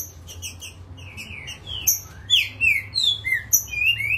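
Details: Green-winged saltator, described as agitated and in top form: a run of short stacked high chips gives way to rich downslurred whistled phrases, repeated rapidly and growing louder toward the end over a low background hum.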